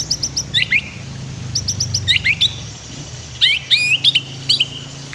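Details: White-rumped shama master song meant to train other birds, over a low background hum: short bursts of very high ticking notes followed by quick downward whistles, repeated in three phrases.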